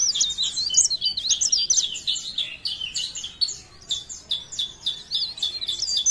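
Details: Leaf warbler in Parepare delivering a steady stream of high, squeaky, zigzagging notes several times a second, jerky and unbroken, over a quiet background.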